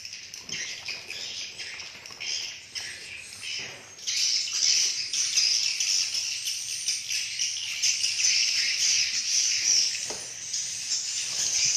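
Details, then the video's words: Swiftlets communicating, giving high, thin, rapid twittering chirps. These build from a softer opening into a loud, continuous chattering mass from about four seconds on, with no other clear sounds. "suara asli walet"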